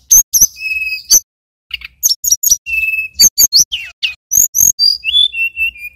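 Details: A male mountain tailorbird from Banyuwangi sings high drawn-out whistles and crisp chip notes, then rapid upswept slurs ending in short descending whistled phrases.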